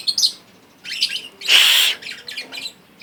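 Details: Young captive lovebird chick, two months and three weeks old, learning to chirp: scattered short, scratchy, high chirps, then a louder, rough half-second squawk with a whistled core, followed by more soft broken chirps.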